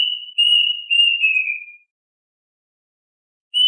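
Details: Plaintive Cuckoo song, said to call its flock: a phrase of three clear, level whistled notes, the last sliding downward, then a pause and the start of another note. No other sounds.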